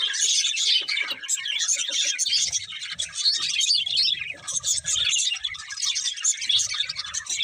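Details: Budgerigar flock twittering, dense high chirps and warbles in bursts with small pauses, soft low rumbling in the background.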